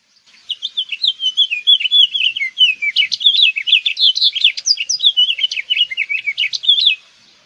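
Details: House Finch (Haemorhous mexicanus) singing a long, lively warble: some seven seconds of quick, tumbling chirps and slurred notes that rise and fall without a set rhythm, in a quiet background.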